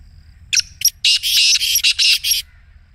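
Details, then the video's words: A Black Francolin's excited call, played to a silent caged francolin to get it calling: a rapid, grating phrase of about seven buzzy notes lasting two seconds, the central notes long and rasping. "کالے تیتر کو بلوانے کا آزمودہ طریقہ | کالے تیتر کی مستی والی آواز | Black Teetar Voice"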